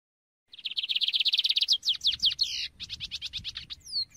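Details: Lined Seedeater pouring out a quick, even string of high, buzzy notes that breaks into louder, swooping, slurred notes and then a steady chipping series, with faint low rumble beneath.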